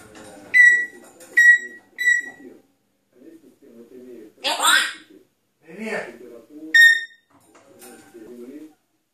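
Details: A pet grey parrot saying its first words gives sharp, rising whistles and a couple of harsh, speech-like squawks, over a steady murmur of television talk.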